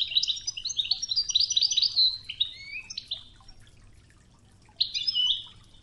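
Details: Toughza-style European goldfinch training song from Oujda, set against flowing river water: a dense run of quick, liquid twittering notes for three seconds, a pause, then another bright tinkling burst.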